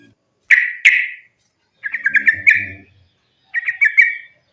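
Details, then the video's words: Sooty-headed bulbul giving fighting song meant to provoke bulbuls into singing: two loud liquid slurred notes, then two bubbly, chattering warbled phrases, with faint low knocking in the background. "trucukan gacor tarung sambung ropel ini ampuh buat pancingan trucukan agar bunyi"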